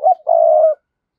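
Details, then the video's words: Spotted dove used as a decoy to draw in wild doves, giving a brief low coo followed after a short gap by a long, steady, hollow coo. "Chim Cu Mồi Thúc Và Gáy Gọi Dùng Kích Bổi Hiệu Quả Mỗi Ngày"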